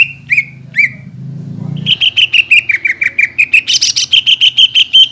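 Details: Greater green leafbird lure song for raw and group-kept birds: a few isolated chirps over a low hum, then a rapid, steady train of sharp chirps with squeakier notes mixed in.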